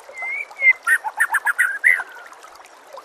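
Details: A white-rumped shama, in a training recording with nature sounds and trickling water, sings clear slurred whistles, then a fast run of about eight rich, varied notes, ending on a long falling whistle.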